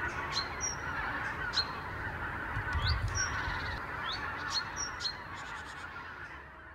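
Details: Morning chorus of thousands of Arctic wild geese flying back from their roosts to meadows along the Lower Rhine, Germany, where they overwinter. A massed, continuous honking din runs throughout. Short, high, sharp whistles from other birds repeat above it.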